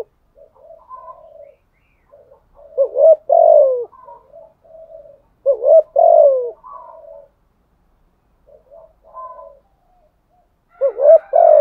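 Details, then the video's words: Caged decoy spotted dove, thổ-voice style, cooing steadily: soft low murmurs, then loud hoarse two-part coos about every three seconds, each a short rising note followed by a longer falling one. "chim cu moi thuc gù bài bản, chim cu mồi thúc gù liên tục"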